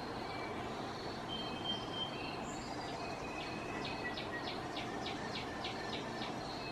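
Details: A song sparrow singing from his favourite high perch on a power transformer in the Great Smoky Mountains gives a few clear whistled notes, then about ten quick sharp repeated notes, over a loud steady rumble, with other bird species competing.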